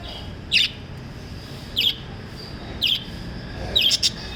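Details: Lovebirds chirping: four short, piercing, high chirps about one second apart, the last a quick double, against a quiet hum.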